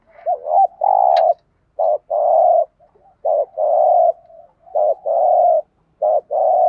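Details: Spotted doves, male and female, giving urging 'gù thúc' coos used as a training lure: rhythmic low hollow coos, each short bent note leading into a longer even one, repeated steadily about every second and a half.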